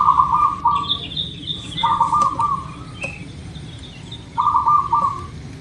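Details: Local zebra dove played as a lure to prompt birds to sing quickly. Three rolling, bubbly coo phrases, each about a second long, arrive roughly every two seconds. Thinner high chirps from another bird sound faintly over a steady rustling background.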